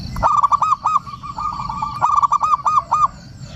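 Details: Lure call of a local male zebra dove, used to draw rival males and calm stressed doves: two loud, rich bursts of quick rolling coos, each a run of evenly spaced mellow notes, with a faint hum underneath.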